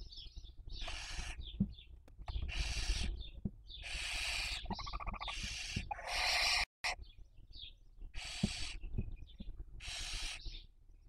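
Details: Breeding barn owls at a nest in Cabañeros National Park, Spain, 2023 season: repeated loud, grating hisses about a second long, one with a rattling quality, plus quiet twittering notes and a short gap in the recording.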